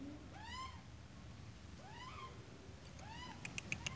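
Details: Australian magpie with its chick: three faint arched, rising-then-falling notes rich in overtones, about every 1.5 seconds, over low rumbling background noise with a few sharp clicks at the end.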